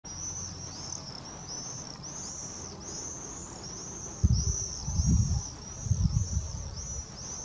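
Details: A flock of common swifts in flight on 22 June 2024 at Saint-Charles scream shrill, thin, drawn-out overlapping trills almost without pause; low rumbling wind bursts come through midway.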